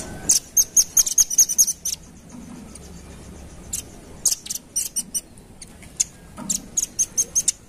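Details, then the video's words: Lure recording of velvet-fronted nuthatch: an opening rattle of high, sharp chips about six per second, then sparse single notes, then another quick high series near the end. "Suara Pikat Burung Rambatan Ampuh"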